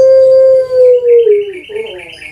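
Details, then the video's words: A captive puter pelung dove from Java, Indonesia, holds one long, smooth, low note that sinks gently over about one and a half seconds, then breaks into a softer gurgling roll. "PUTER PELUNG SUARA PANJANG"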